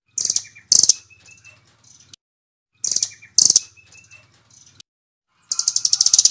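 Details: Velvet-fronted nuthatch, Doraemon type, singing in nembak style for training songbirds: pairs of sharp, high, buzzy chips with faint lower tones between them, in two similar phrases, then a rapid high trill starting at the end.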